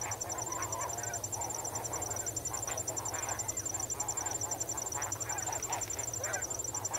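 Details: A wading, swimming flock of snow geese gives a dense, continuous overlapping chatter of nasal calls throughout, with an even high cricket trill running underneath.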